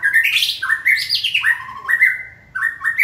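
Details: White-rumped shama, a trained bird stimulated to sing, delivering a rich run of clear whistled phrases that step up and down, with some notes slurred and others sharp, and a brief pause near the end.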